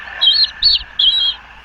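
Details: A wild bald eaglet, hatched April 24 on a nest at Quechee, Vermont, where both parents feed it, gives three thin, high, wavering squeaks about every half second over a faint background hum.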